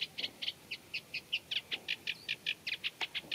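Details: Reed-bed Eurasian reed warbler, whose scratchy song borrows from other birds of the habitat, delivers an evenly spaced series of short harsh chirps, about five per second, steady throughout.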